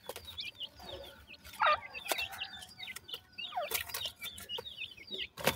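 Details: Forest partridge chicks calling with cute chirps. High, curved peeps come in loose runs, broken by a louder, lower squawk and frequent crackling rustle.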